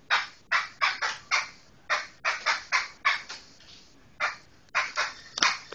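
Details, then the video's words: Black laughingthrush, known locally as poksai hitam Medan, giving loud harsh chattering bursts, about a dozen rapid broadband notes in quick clusters with short pauses between. "Suara Kicau Burung Poksai Hitam Medan"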